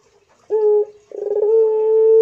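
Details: Pelung-style coo from a Barbary dove: a clean short note, a pause, then a rapid fluttering roll leading into a long steady hum that is still going at the end.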